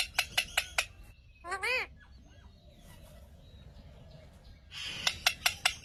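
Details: A pet Indian ringneck (rose-ringed) parakeet talking: a brief voice-like, wavering phrase between bursts of sharp, rapid clicking chirps, about five a second.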